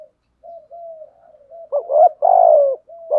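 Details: Spotted dove used as a lure bird, giving soft, low, hollow coos that swell into a few louder, fuller notes over about three seconds. Nothing else is heard.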